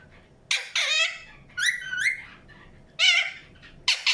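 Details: Indian ringneck parakeet giving four separate bursts of harsh, raspy squawking, each under half a second, with short quiet pauses between.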